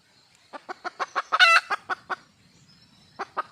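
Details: Red junglefowl hen, wild, calling to find a mate with a rapid run of clucks that builds into one loud, grating squawk, followed by a few more clucks after a short gap.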